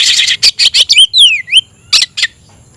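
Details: Kacer, the oriental magpie-robin, a kept bird calling a rival to fight: loud harsh rasps, then a long slurred whistle gliding downward and back up, ending with two more rasping notes.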